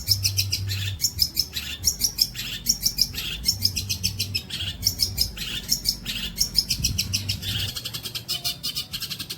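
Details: Training recording of a long-tailed shrike for songbirds: a steady stream of rapid, scratchy, high chattering phrases with tiny sharp whistles mixed in, alongside a faint intermittent low hum.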